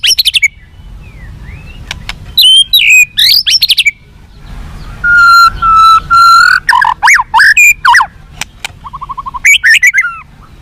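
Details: White-rumped shama singing, meant to make captive birds more responsive and fighting: varied loud phrases of sweeping whistles, a steady low whistle, buzzy trills and rapid repeated notes, with quiet gaps between bursts.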